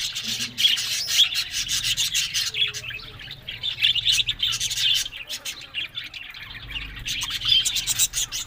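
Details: Budgerigars, called happy and talking, chatter in a steady high warble of chirps and short whistles, dipping briefly quieter midway before rising again.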